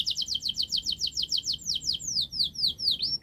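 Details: A canary's training song meant to get silent birds singing, heard as a quick series of descending chip notes that slow into longer downward-sweeping whistles.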